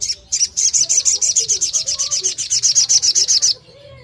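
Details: Fast 'nembak' song of a long-tailed shrike, meant to get other shrikes that have gone quiet to sing: a continuous rattling string of about twenty-five shrill high notes over three seconds.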